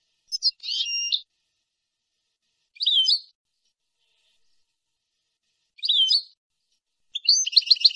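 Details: European goldfinch singing nahrat and taqasim on a clean teaching recording for young birds: a buzzy, rattling phrase, then two short twittered notes spaced about three seconds apart, ending in a rapid, metallic trill.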